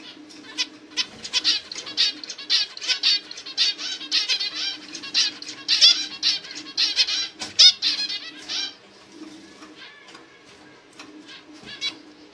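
Zebra finches give rapid, nasal, buzzy chirps, many birds calling over one another in bursts.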